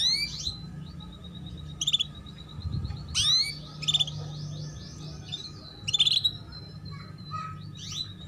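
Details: Female canary calling to encourage young birds to sing and heighten breeding drive: short upslurred chirps and thin sustained whistles, irregularly spaced, above low humming noise.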